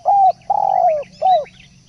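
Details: A single brief spotted dove phrase for luring: a level coo, a long purring coo that sags at the end, then a short falling coo, mellow and low. Soft high chirps from other birds overlap.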